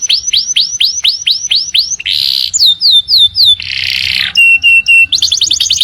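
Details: Canary singing in the morning: a run of repeated sweeping whistled notes, then a buzzy burst, falling slurred whistles, a steady trill and a fast series of high rising notes.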